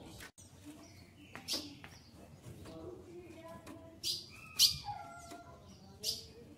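A female ultramarine grosbeak gives sharp, high chips and short thin whistles at irregular intervals, soliciting a mate, with faint room noise.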